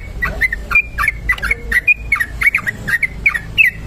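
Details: Sooty-headed bulbul giving a long continuous ropel song used as a lure recording: short whistled and slurred notes near the same pitch, repeated roughly once a second in an irregular string, over a low steady background hum.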